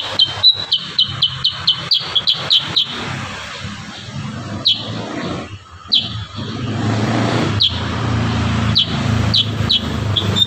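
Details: A kurincang in full song, 'tembakan rapat' style: a fast string of about ten crisp high chirps in under three seconds, then isolated chirps as a steady low traffic-like rumble rises.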